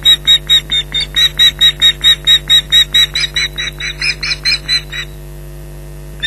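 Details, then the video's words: Nesting ospreys at Loch Garten, Scotland, shouting at a persistent intruder in July 2011; fast run of piercing repeated yelps that breaks off near the end, leaving only background hum. "Intruder Alert"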